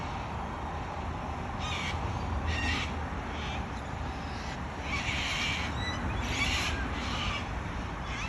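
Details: Wild Australian cockatoos giving a scattered series of short, hoarse squawks, some more distant, with one longer harsh call midway.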